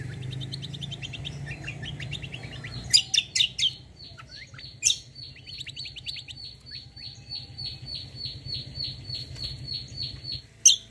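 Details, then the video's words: White-eye song used as a lure to make other birds answer: a long series of high, short downslurred notes repeated steadily about three per second, preceded by scattered sharp chirps, over a low background hum. "KECIAL KOMBO BAHAN LANGSUNG NYAUT || PANCINGAN CUCAK KOMBO"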